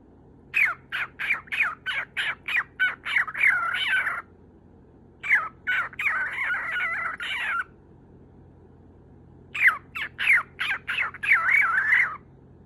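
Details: Attention-seeking lutino cockatiel kept as a pet, trying to get into its owner's good graces; three bursts of rapid, rough squawks, each a quick series of clipped notes running into longer grating cries, separated by short silences.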